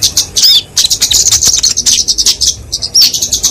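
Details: Flowerpecker singing its fighting song, used to train and lure small birds; very high twittering with a few thin slurred whistles among dense rapid ticks.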